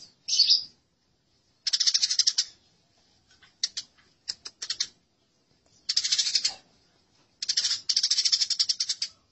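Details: Fighting house sparrows in a masteran recording: short bursts of rapid, harsh chirps repeated in clusters of about half a second to a second, with brief quiet gaps between outbursts.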